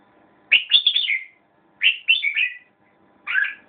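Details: Red-whiskered bulbul singing three short, bright warbled phrases, each about half a second to under a second long, with brief pauses between them. The notes are mid-high and rolling. The background is quiet apart from a faint low hum.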